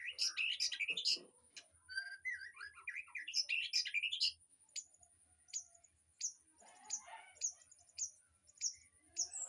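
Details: Mixed aviary birdsong meant for training a white-rumped shama: dense chattering and harsh squawky notes for four seconds, then sparse, sharp single chips spaced about a second apart.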